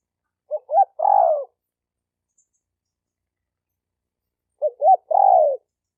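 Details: Calling male spotted dove trying to draw females. Two phrases four seconds apart, each two short rising notes followed by a drawn-out descending coo, in a silent background.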